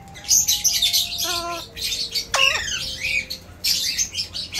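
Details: Pet Alexandrine parakeet talking like a human indoors: bursts of hoarse, speech-like chatter around a sharp, ladder-like squawk and a rising, bent screech, with a faint steady tone running underneath.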